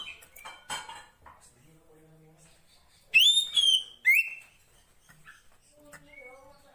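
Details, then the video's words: A female Oriental magpie-robin in the wild calls to the male with two loud whistles, one rising then sliding down, then a quick upswept note, with faint voices and clinking behind. "Suara Kacer Poci Betina memanggil Jantan"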